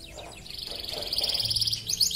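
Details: Competing canary from Pontianak, Indonesia, in an online song contest: a fast, even, bubbling trill held steady at a high pitch, with murky background noise underneath.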